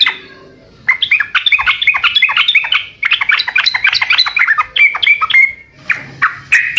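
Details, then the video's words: Gacor singing from a sooty-headed bulbul: dense, jumbled runs of bright chirping notes lasting several seconds, broken by short gaps, ending with a few separate sharp notes. "Burung Trucukkan video asli suara asli gacor Setel di rumah pasti pada nyaut"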